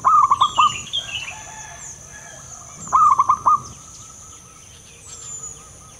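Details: Two phrases of rapid, rolling low coos about three seconds apart from a big-voiced local male zebra dove, with higher bird twitters and a continuous high-pitched whine behind.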